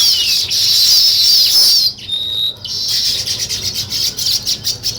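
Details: Nest-building weaver birds chatter in a thick, high-pitched chorus of rapid chirps, which breaks off briefly near the middle and resumes as pulsing twitters.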